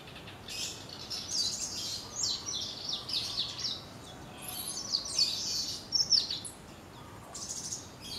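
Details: High-pitched, thin chirping notes from a chestnut-crowned warbler, delivered in irregular clusters of quick twitters with brief pauses, over constant low background noise.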